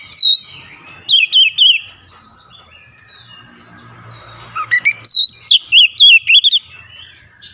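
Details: Oriental magpie-robin song with bill wide open: a bright whistle, a quick run of looping notes, a long quiet gap with soft faint twitter, then a rapid burst of eight sharp whistled notes.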